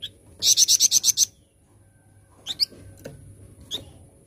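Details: Flamboyan bird in full gacor voice, rattling out seven fast, piercing high pulses, followed by a few scattered thin chips and a pause.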